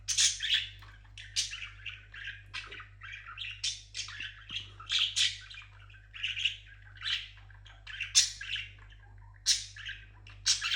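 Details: Parrot singing a long series of squeaky, chattering phrases of warbles, sharp whistles and scratchy notes in quick bursts, with a steady low hum underneath.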